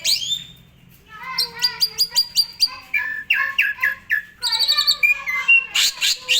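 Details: Asian pied starling in prolific 'gacor full isian' song, meant for tutoring other songbirds. A squeaky opening is followed by rapid trains of clipped chattering notes, some harsh and rattling, then a sharp burst at the end.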